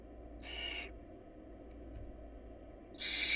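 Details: Two harsh, airy hisses from barn owl nestlings whose family lacks food, separated by more than two seconds of quiet hum, the second louder.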